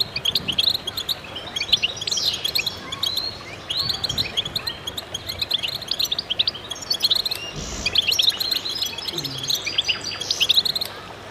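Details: Several goldfinches singing in concert, a busy stream of liquid high twitters, quick chirps and short rising slurs piling over one another without pause; a faint low knock is heard midway.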